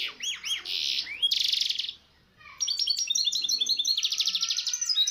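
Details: Misto hybrid song from a training recording for young birds. Rising and falling whistled slurs give way to a dense buzzy burst. After a brief pause comes a rapid, rhythmic trill of high repeated notes.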